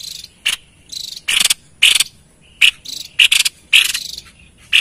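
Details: White-chested babbler in busy song, played to lure wild birds: irregular harsh, buzzy bursts, some paired in quick succession, with a thin faint tone linking a few notes.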